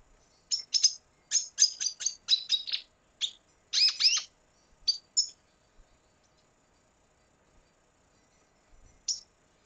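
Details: Song of a red siskin from Venezuela: a run of quick, high twittered notes repeated in a rattling series, then a few isolated chirps after a pause.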